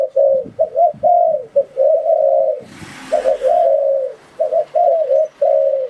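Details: Spotted dove lure call for trapping: rhythmic phrases of quick double coos ending in a long smooth coo, broken midway by a brief burst of hiss and low rumble.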